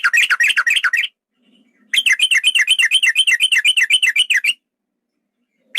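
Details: Long trilling lure call of a male yellow-vented bulbul to provoke fighting: fast, wavering chirps about four per second in two long bursts with a short quiet break.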